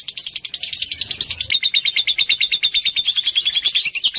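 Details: Long lovebird trill in the ngekek style, meant to stir other lovebirds into calling: shrill, fast pulsed chatter that changes partway through to a steadier run with a thin whistled tone threaded along it.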